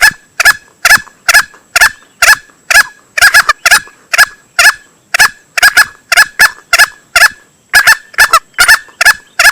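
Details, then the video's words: Lure call of a male green junglefowl used in hunting: a long, insistent series of loud, rasping single notes at roughly two per second, with occasional rapid double notes. "Suara pikat ayam hutan hijau jantan"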